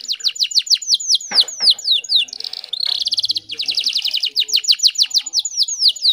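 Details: Female canary in heat luring a male: quick high descending whistles, a buzzy rolling passage, then a long fast trill and further repeated falling notes.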